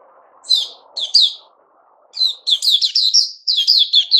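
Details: White-crowned shama during its new-feather season, 6 September 2021: a few separate clipped whistles over soft low background hum, then a rapid run of linked warbling notes repeated in quick succession.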